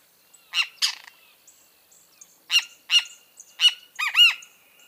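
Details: Great kiskadee (Pitangus sulphuratus), repeated loud phrases of harsh, clipped notes, the last phrase ending in two arched, bouncing nasal notes, with quiet gaps and faint high chirps between.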